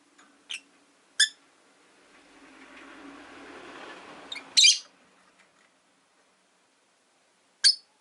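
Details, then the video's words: Several pet rosy-faced lovebirds, five kept together in a cage by a window, give sharp harsh chirps at irregular intervals, with a soft murmur of traffic and town noise in between. "Lovebird Chirping Sounds"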